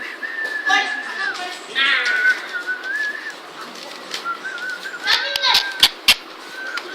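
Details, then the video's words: A pet parrot at home, playing with people, produces drawn-out whistled and speech-like phrases with wavering tones, mostly between mid and high pitch, ending in a few sharp clicks. "PARROT FUNNY TALKING IN TAMIL"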